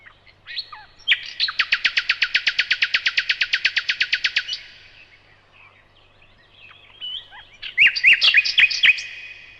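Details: A nightingale delivers a loud, rapid series of about two dozen clipped, chopped notes, falls silent for a few seconds, then resumes with a jumbled cluster of varied chirps and whistles.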